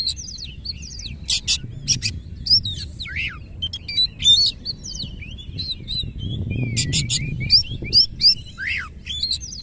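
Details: Oriental magpie-robin (kacer), tail open, giving 'nembak ngerol' song: scattered bright whistled notes, steep down-slurred calls and paired buzzy bursts, fairly spaced out, with a low background murmur.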